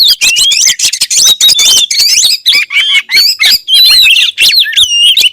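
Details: Close, very loud oriental magpie-robin song, said to stir other magpie-robins into singing: a torrent of chattering notes, rasps and slurred whistles packed tightly together.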